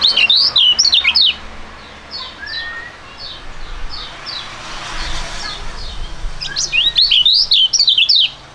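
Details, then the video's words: Duet of two young songbirds of fighting temperament, kept for singing contests in Indonesia: loud bursts of quick, high twisting whistles at start and end, with softer distant chirps and a low murmur between them. "STORING DUET PRUGUT DUA BURUNG MUDA YANG SANGAT ISTIMEWA"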